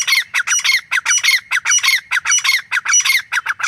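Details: Repeated loud, grating notes from a grey francolin (teetar), delivered in a fast steady rhythm of nearly two calls per second, each note bright and harsh with a ringing upper edge.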